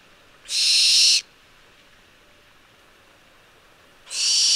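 A Barn Owl gives two long, harsh, hissing screeches, each under a second, about three seconds apart, over a quiet background.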